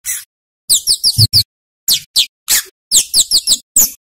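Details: Scarlet-headed flowerpecker (Cabai Jawa, Kemade), recorded as a tutor recording for training other songbirds, giving short bursts of very high, thin, sharp chirps in quick clusters separated by brief silences.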